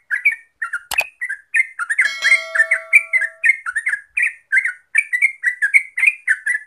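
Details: Yellow-vented bulbul (Pycnonotus goiavier), called trucuk, singing as a lure to spur birds into rapid continuous song: busy run of bubbly, slurred chirps back to back, a sharp click near the start and a brief steady tone underneath.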